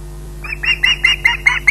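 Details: Hungry osprey at Loch Garten, waiting for a meal: six short, grating squawks in quick succession after a brief silence.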